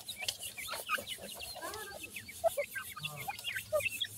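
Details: Baby yellow partridges being fed, a chorus of high twittering chirps mixed with a few soft lower clucks and some rustling.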